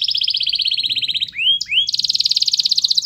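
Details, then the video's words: Singing canary, played as training song to get other canaries singing: rapid rolling trill held steady, broken by two upward-curving whistled notes, then resuming as a long, dense, pulsing trill. "MASTERAN KENARI GACOR Yang Lain Agar Ikut GACOR"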